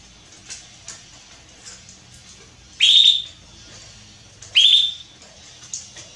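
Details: Female Belgian canary soliciting mating: two loud upswept whistled calls, each sharply rising then levelling off high, about one and a half seconds apart, with faint chirps between.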